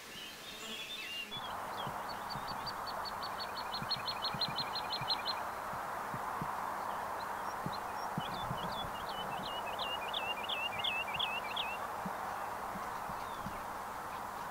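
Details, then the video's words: Woodlark song, its repeated phrases speeding up and fading toward the end of a verse: a fast, even trill of high notes, a gap, then a looser series of curled whistles over a steady broad rushing noise. "Lerka śpiew"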